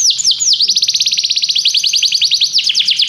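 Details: Canary song for training: a few swooping whistles lead into a long rapid trill of repeated downward-sweeping notes, high and steady, ending in looser swoops.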